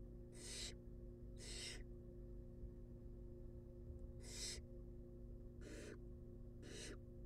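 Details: Wild barn owl chicks at a monitored nest box during feeding time: five noisy, hissing screeches, in a pair and then a group of three, over a low continuous hum.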